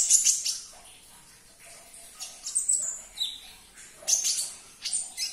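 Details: Sunbird twittering to get a caged bird responding: bright, very high chirps in short clusters, with a brief descending whistle midway.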